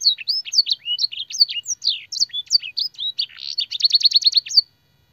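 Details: Canary master song for training, filled with blackthroat and sanger phrases: rapid varied whistled notes and slurs high in pitch, ending in a fast trill of repeated notes.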